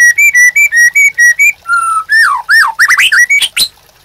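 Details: White-rumped shama master song for training caged birds: a string of rapid clear whistled notes alternating up and down, then a long steady whistle and looping falling and rising slurs ending in a sharp burst.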